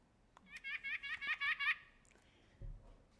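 White-breasted Nuthatch giving a quick run of about eight nasal, laughing notes in just over a second, followed by a faint click and a soft low thump.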